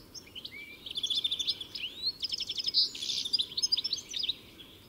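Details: European goldfinch song: tinkling high twitters and liquid chirps, a brief buzzy trill in the middle, phrases building in loudness toward the end.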